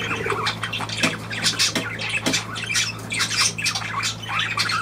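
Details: Budgerigar squawks and chirps, dated 23 June 2023, arrive in rapid overlapping bursts with a few clicks, over a constant low hum.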